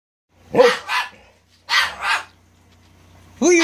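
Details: Pet cockatoo barking playfully like a dog while teasing: two short harsh doubled bursts, each a pair of quick rough barks, separated by a pause, then a loud raspy squawk beginning at the end.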